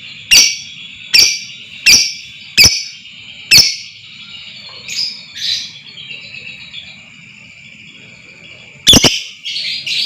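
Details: Lovebird sounds meant to stir another lovebird into long ngekek trills: a run of five piercing chirps about a second apart, a pause with softer rasping notes, then a fresh loud harsh burst at the end over a constant high tone.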